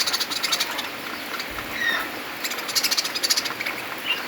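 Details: Budgerigar; flock chatter; contentment within the flock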